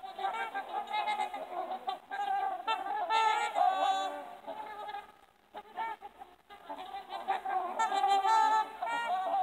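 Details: Gathered trumpeter swans trumpet in bouts: clusters of loud, brassy, bugling honks, some bending in pitch, broken by a short lull near the middle before the chorus picks up again.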